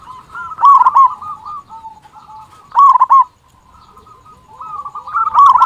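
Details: Zebra dove, a local bird with a strong voice, singing to stir other doves: soft purring trills interrupted by two loud rolling coo bursts, a quieter lower purr in between, and a rising final phrase.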